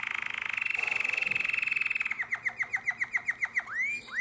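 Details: Domestic canary singing in the nightingale-voiced style, Drama, 2017: a fast buzzing roll gives way to loud, evenly spaced swooping notes falling steeply in pitch, ending on an upslurred whistle.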